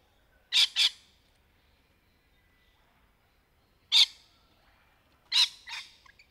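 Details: Rainbow lorikeet in trees, sharp harsh screeches: a quick double at the start, then single and doubled bursts spaced by long silent gaps.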